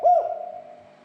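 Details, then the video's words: Spotted dove call used to provoke other doves into calling: a single short, strong coo that fades into a long, low tail. "SUARA PERANGSANG TEKUKUR AGAR SEGERA EMOSI DAN BUNYI"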